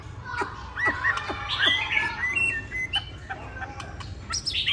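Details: Tame caged hwamei from Hanoi, Vietnam, with one white feather, not yet in peak singing condition; a busy, varied run of short whistled and slurred notes, some rising high, with faint background hum.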